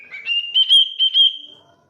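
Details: Pet cockatiel giving a clear, high whistled phrase lasting about a second and a half, rising slightly at the start, then wavering in several pulses before fading out, with no other sounds.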